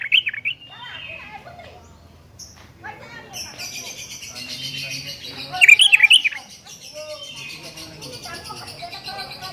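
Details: Sooty-headed bulbul calling to challenge a rival, natural recording used as a lure for young bulbuls: bright chirping notes near the start and a louder burst of clustered whistled calls around six seconds, with softer chatter and a low background hum.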